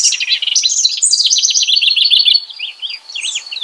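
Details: A house wren sings a lively song of quick, slurred, bubbling notes, ending in a series of separate rising-and-falling chirps.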